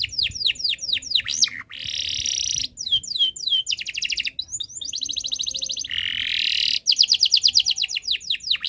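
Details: Canary in breeding condition, singing continuously as a tutor song to get other birds singing; fast runs of downswept whistles alternate with dense buzzy rolls, repeated in several bursts.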